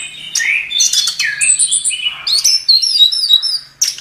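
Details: A chestnut-capped thrush, singing for a songbird tutor recording, gives sliding whistles that give way to a run of thin, very high wavering notes repeated several times, over a faint low hum.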